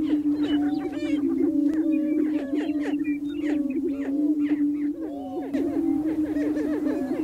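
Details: Lek of displaying male greater prairie chickens on North American prairie in spring; an unbroken low booming drone beneath busy, overlapping looping whoops and chattering cackles from many birds.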